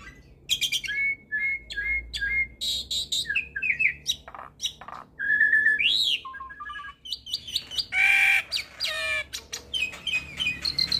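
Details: Hybrid starling in busy, varied song packed with fill-in phrases, meant as a tutoring model for Asian pied starlings and other songbirds: flat whistles, quick buzzy bursts, rising-falling slurs and harsh rasps tumbling one after another.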